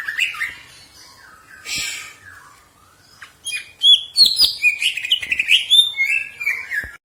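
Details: Caged green leafbird singing for training: soft chirps and a harsh burst, a quiet gap, then a loud fast stream of high whistles and chattering notes.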